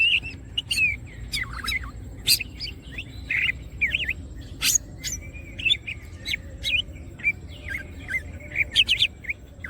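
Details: Greater green leafbird singing gacor-style with wings opened: a rapid run of short whistled slurs and sharp chirps near one pitch, with some bright clicks in between, over a soft low hum.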